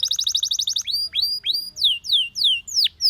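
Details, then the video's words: Canary song played for training other canaries to sing: a fast rolling series of high pulsed notes, then bright upward-sweeping whistles repeated about every half second over a faint low hum. "Your canary immediately sings when you hear this canary chirp"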